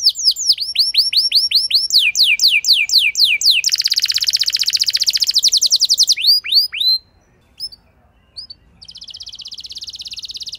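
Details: Canary (Serinus canaria) song used as a lure to prompt a reluctant canary to sing at length: fast repeated downslurred whistles, then a long dry buzzing trill, a few sharp chips and another rolling buzzy trill, all high-pitched.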